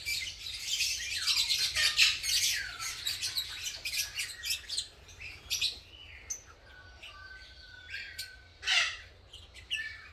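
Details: Green personata lovebirds pairing and nest building in a colony: rapid burst of shrill chattering at first, thinning to scattered sharp chirps and a few thin whistled notes, then one loud squawk near the end.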